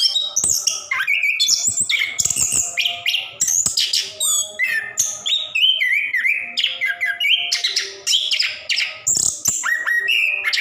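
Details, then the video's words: Orange-headed thrush in a cage, singing long 'ngerol' to draw song from lazy birds; a dense, fast stream of warbled, buzzy and twittering phrases, some quick down-slurred whistles, almost no pauses, faint hum beneath. "Anis Kembang / Plontang Gacor Ngerol"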